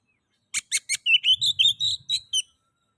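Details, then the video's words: Oriental magpie-robin (kacer) lure song for stimulating other magpie-robins: three sharp clicking notes followed by a quick string of about eight bright chirps, with faint low rumble. "Pancingan kacer ngeplay...cocok untuk merangsang bunyi kacer"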